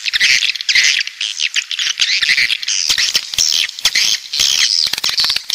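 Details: Southern coastal swiftlets give harsh, squeaky chirps and rasping twitters over scattered clicks, the calls coming in uneven bursts from several birds at once.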